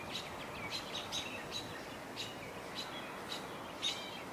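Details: American Robins give sharp, high alert chirps about every half second over a steady hiss, from trees behind a parking lot on 21 June 2022. A hawk was nearby, and it is uncertain whether the calls relate to it.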